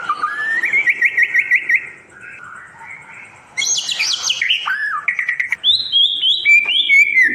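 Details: White-rumped shama singing continuously, played to restart song in caged birds: rapid looping whistled notes, a quiet gap, then loud high sweeping whistles and varied chattering phrases.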